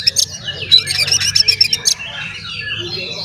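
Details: Oriental magpie-robin singing intensely, a song meant to provoke other magpie-robins into agitation and tail-spreading: a two-second run of loud, rapid harsh chattering bursts with high whistled accents, about four a second, then fainter twittering.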